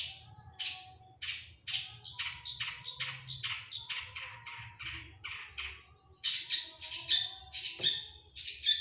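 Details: Long-tailed shrike, cendet, delivering 'tembakan': a quick, irregular string of many short scratchy notes that gives way to louder, harsher screeching blasts near the end.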